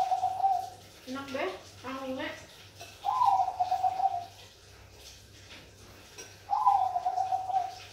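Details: Bangkok-type zebra dove giving two trilled, purring coo phrases, each opening with a short rising note before a bubbling roll. The phrases come a few seconds apart. Before them, lower voice-like sounds with stacked tones, over a faint steady hum.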